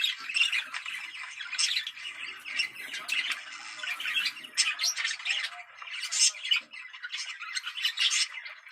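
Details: Budgerigar sound for stimulating mating: a lively warble of harsh squawks and bright chirps in quick irregular bursts, busy and high-pitched throughout.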